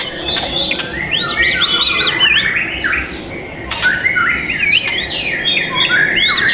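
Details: White-rumped shama, a bird offered for sale at a shop in South Tangerang, Indonesia, singing a rich, varied phrase of looping, arched whistles and rising and falling notes, a short pause midway, then more rapid warbled figures.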